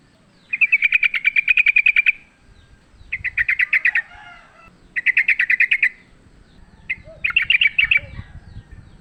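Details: A wild sooty-headed bulbul fighting, recorded as a lure, gives long rattling bursts of rapid uniform notes, each burst lasting one to two seconds, with short gaps between.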